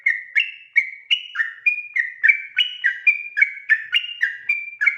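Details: Sooty-headed bulbul's nocturnal 'ropel' song: a long, driving sequence of ringing whistles, each note sliding or stepping in pitch, delivered about three per second without a break.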